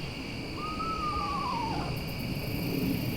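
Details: On a late-season night with katydids, an Eastern Screech-Owl, possibly curious and close by though it seemed distant, gives its whinnying song: a single descending, quavering, horse-like whinny lasting about a second, over a steady drone of night insects.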